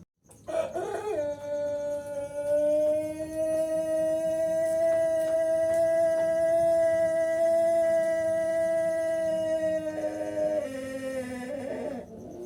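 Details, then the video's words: Six-month-old Pelung chicken still learning to crow: one very long, steady, tonal crow held for about ten seconds at an even pitch. Near the end it drops and wavers before stopping. Faint background hum throughout. "Ayam Pelung Usia 6 Bulan, proses suara kokok"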